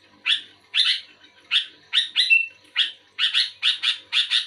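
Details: Responding to another bulbul, a sooty-headed bulbul sings loud, grating chirps that speed up into rapid doubled notes toward the end, with one brief whistle partway through.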